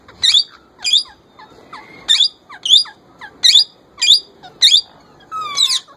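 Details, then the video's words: Pet young male plum-headed parakeet trying to talk like a ringneck parrot: seven shrill squawks roughly every 0.7 seconds, each trailed by softer falling notes, ending in a longer drawn-out call. "Young Plum Head Male trying to Talk & Copy Ringneck Parrot voice"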